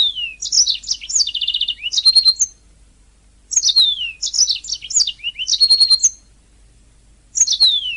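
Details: {'caption': 'A training master recording of a singing canary with three phrases of high chirps, falling whistles and fast trills, each about two seconds long and separated by roughly one-second pauses.'}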